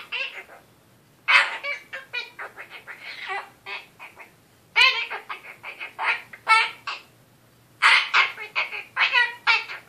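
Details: Indoor Goffin's cockatoo giving a serious-sounding bedtime lecture, a weekly habit: long runs of rapid, raspy, speech-like babble in bursts of several syllables, pausing briefly between phrases, steady background hum.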